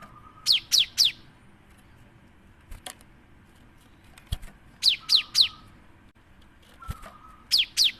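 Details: Lure recording of a cinereous tit meant to trigger singing in other birds: phrases of three high, sharply descending notes, each phrase preceded by a short low buzz, repeated about every three seconds with occasional clicks between.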